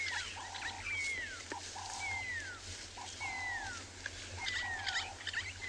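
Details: Pearl-spotted owlet at sunset on 23 June 2020 in Tswalu Kalahari Reserve, South Africa, gives loud, high, downward-sliding whistles about every second, often calling at this time of day, with steady mid-pitched tones from another caller and low hum.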